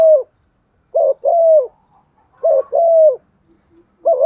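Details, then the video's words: Spotted dove used as a decoy, giving its standard provoking coo: three low phrases about 1.3 seconds apart, each a brief double note and a smooth drawn-out coo that drops at the end, in a quiet setting. "Chim cu gáy đất thúc gù bài bản/ chim cu mồi giọng bài bản kích là gáy"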